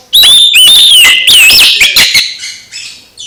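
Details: Loud Oriental magpie-robin song used to set a silent magpie-robin singing again: rapid, overdriven whistled phrases with wavering slurs and harsh strokes, fading into softer trailing notes.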